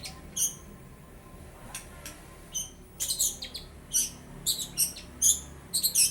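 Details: Mimicry of lovebird and house sparrow by a young long-tailed shrike, bill not fully black: sparse high chirps at first, then a livelier string of harsh, buzzy squeaks and chirps.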